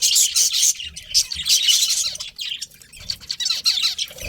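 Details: Pet budgerigars, described as a breeding pair, chatter in a busy mix of high chirps and warbled notes, loudest at the start and thinning toward the end, with faint low thumps beneath.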